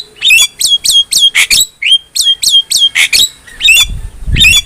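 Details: Javan myna song for training cage birds: rapid chattering series of sharp, downslurred whistled squeaks mixed with harsh noisy notes, some low thumps near the end.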